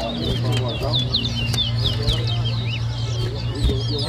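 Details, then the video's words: Two towa towa birds compete by whistling in Berbice, Guyana, 2023, giving clear, high, looping whistled notes in quick succession over a constant low hum and background voices. "TOWA TOWA BIRD WHISTLING COMPETITION"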